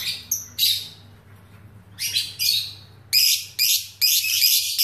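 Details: Lovebird kept as a contest fighter bird, newly acquired, giving harsh high-pitched chirps in short bursts of about half a second, with pauses between them and a faster cluster of bursts near the end; a low steady hum runs beneath.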